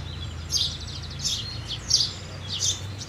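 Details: Loud, bright chirps from a house sparrow repeated four times in about three seconds over quiet low noise.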